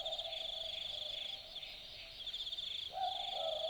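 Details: Australian boobook calling at night in the bush of Dharug National Park, Australia: one two-note boo-book near the end, the first note higher than the second, over a constant pulsing high insect chorus.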